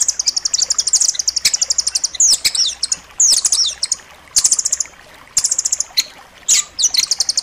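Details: Striated grasscreeper song, used as master recording for training pet birds: dense, sharp high chattering bursts and rapid trills, repeated in short phrases roughly every second with brief gaps.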